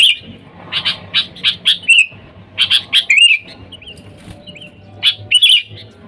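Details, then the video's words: Sooty-headed bulbul, a lively bird calling its wild fellows, sound used to lure bulbuls: a series of quick bright chirps, then looping liquid whistled phrases, with a light background hum. "Suara Dasar Burung Kutilang Gacor Memanggil TEMAN LIAR, Suara Bagus untuk pikat Kutilang & pancingan"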